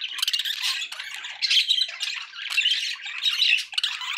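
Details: Dense budgerigar warbling with clicking chips, raspy squawks and short whistled notes, running nonstop with swells of louder calling.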